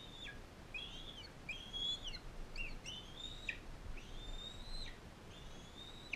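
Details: Non-releasable adult female bald eagle fostering a bald eaglet from Powell River in captivity; loud high whistled calls, each rising, holding steady and snapping downward, six in a row at about one per second, over soft hiss.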